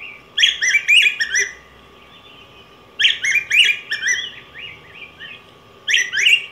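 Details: Yellow grosbeak (Pheucticus chrysopeplus), a large Mexican and Guatemalan cardinal, repeats melodious warbled phrases roughly every two and a half seconds, each a quick jumble of rising and falling notes, with a faint hum behind.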